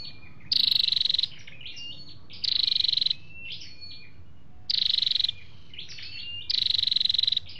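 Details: Male and female flowerpecker calls, used to lure wild birds or excite a kept bird: four loud, high buzzing trills of quick pulses, separated by softer twittering whistled notes.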